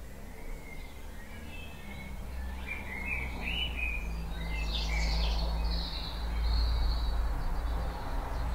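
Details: Spring birdsong at dawn, recorded in a back garden at 4.30am on 09-04-2018: twittering, chirpy phrases swelling in the middle and fading into high trills, with a heavy low drone underneath.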